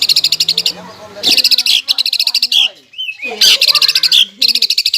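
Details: Greater green leafbird in full song, its lure rich in borrowed phrases from other birds to rouse a rival. Bursts of very high, rapid ringing notes alternate with short pauses and squeaky slurred whistles.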